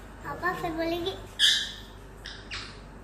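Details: Rose-ringed parakeet kept as a talking green-neck parrot: a short, voice-like babbled phrase with wavering tones, followed by one loud harsh squawk and two softer rasping calls over faint background noise.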